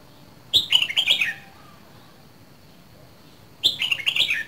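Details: Two lively phrases come from a Red-whiskered bulbul from Dak Lak, Vietnam, two seasons old and kept as a cage bird. Each is a quick tumble of clear, slurred whistles lasting under a second, with a pause between.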